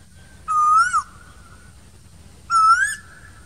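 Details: Asian koel calling in summer among green trees: two loud, clear whistled notes, each sliding upward before a short drop, spaced about two seconds apart over quiet background.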